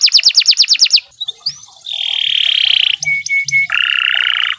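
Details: Canary song for training other birds: a quick run of high pulsed notes, a short rising whistle, then drawn-out buzzy, reedy tones and three clipped beeps before another sustained buzz.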